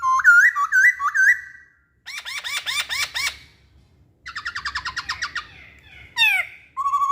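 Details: Masked laughingthrush with varied song: hooked clear whistles, a rapid series of looping notes, a steady rattling run, a sharp downward slur, and a final level whistle.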